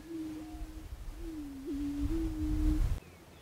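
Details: Prairie chicken producing low, even hooting tones: a short steady note, then a longer moan with a quick upward hiccup, sounding like air blown across a bottle, in quiet surroundings.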